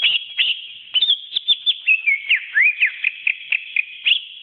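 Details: Greater green leafbird, a pet songbird, singing for a training recording: rapid run of clear whistled notes and slurred sweeps, mostly high, with short rising and falling phrases repeated several times a second.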